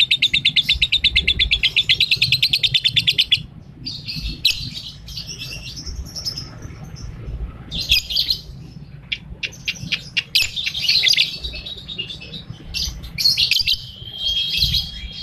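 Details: Molting lovebird delivering its 'ambrol' chatter in the erratic 'konslet' style: a fast, even run of high ticking notes for about three seconds, then broken bursts of shrill, squeaky chirps and twitters with brief pauses.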